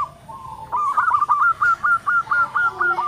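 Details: Local zebra dove singing in a deep, big-voiced style: a soft opening coo, then a fast string of about ten short, clipped, evenly repeated notes at a steady pitch.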